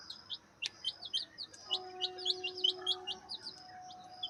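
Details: Turkey chicks peeping continuously: high, thin, downward-slurred chirps repeated several times a second in an uneven stream, with a faint steady low hum beneath.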